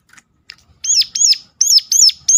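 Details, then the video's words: A few faint ticks lead into five loud, sharp, arched notes from a Sunda warbler, whose piercing call is used to get other birds of its kind singing. "ngecall tajam ciblek gunung || pancingan ampuh sontak cigun lain buka paruh."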